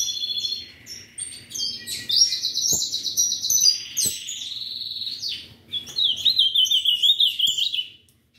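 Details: Ultramarine grosbeak kept by a breeder sings rapid buzzy trills in separate bursts, one low and drawn out, one wavering, mixed with high twittering from other birds and a few clicks.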